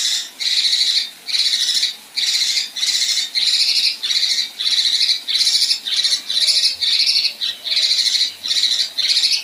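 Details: Female kinoi giving a rough, rasping 'besetan' and 'tembakan kasar' phrase: harsh buzzy bursts, each about half a second long and about thirteen in a row with short gaps, delivered loudly and steadily with no other sounds.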